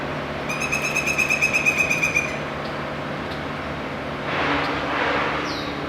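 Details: A Pileated Woodpecker feeds its two young, which give a fast, buzzy chatter of about a dozen high pulses in two seconds; heard from far away over a steady low hum and a brief rush of noise from forest workers clearing a fallen tree.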